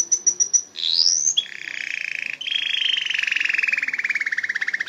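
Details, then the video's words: Canary song opening with quick high pips and a rising sweep, then long buzzy rolling trills that drift gradually lower in pitch. "صوت طائر الكناري canary bird sound"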